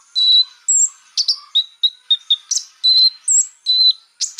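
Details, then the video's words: Konin bird song used as a lure to make birds agitated quickly: high, varied phrases of sharp chirps, level whistled notes and short trills, each about a third of a second, delivered in quick succession with brief gaps. "pancingan burung konin biar cepat emosi"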